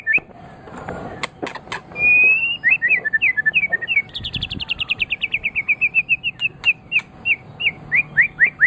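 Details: White-rumped shama of the Medan type, a champion-quality bird used to stimulate other birds to sing: whistled phrases, then a long series of quick repeated chirps in a regular rhythm, mixed with high clicks.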